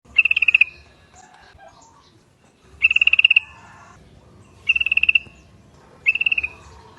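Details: Yellow-vented Bulbul lure call that sets other bulbuls calling: four bursts of rapid, bubbling chattered notes, each about half a second long, spaced by quiet gaps of one to two seconds.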